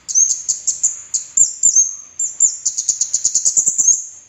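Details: Orange-headed thrush song used to coax other birds into singing: short high twitters and slurred whistles, then a fast series of about a dozen sharp repeated notes that gradually fade.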